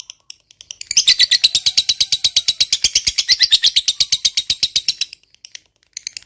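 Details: Ngekek chatter of a lovebird fighter, used as a lure for silent lovebirds: a few faint ticks, then a loud, rapid, shrill buzzy rattle lasting about four seconds before stopping, with soft ticks afterward.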